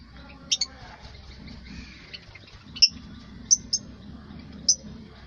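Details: African lovebirds giving sharp, high squeaky chirps: a quick double note near the start, then single and paired shrill peeps scattered over about five seconds, with a faint low hum underneath.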